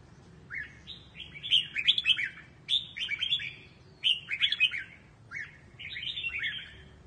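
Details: Red-whiskered bulbul singing in the Quang Tri regional style, used for voice training: bright, warbling whistled phrases of rapid rising and falling notes, delivered in four bursts separated by short pauses, over a faint low background hum.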